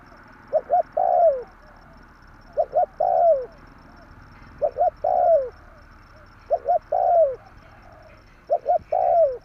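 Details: Spotted dove cooing in the 'tarik akar' style used as a lure for trapping birds: four phrases about two seconds apart, each two short clipped coos then a longer coo that slides downward.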